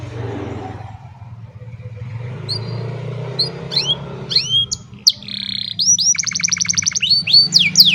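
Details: Old canary on a sunny morning, recorded by cellphone: after quiet low hum, scattered whistled notes build into downward slurs and a fast rolling trill.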